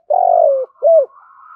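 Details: Spotted dove giving a 'thúc gù' contest call in native 'thổ' voice, used to lure a wild bird in for trapping: a partial phrase with one long, low, gently falling coo and a short arched note.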